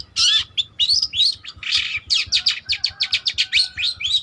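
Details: Long-tailed shrike of the spotted (trotol) type, in energetic full song used as a lure or master song for training. A fast run of varied chirps, slurred whistles and harsh notes, ending in quick, evenly spaced sharp notes.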